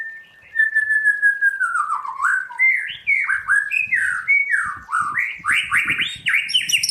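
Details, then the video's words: A white-rumped shama, a cage bird trained toward the 'forest voice' style, opens with a long falling whistle, then bursts into rapid rising and falling whistled phrases with soft clicks and tapping in the background. "Luyện choè lửa hót theo giọng rừng hay"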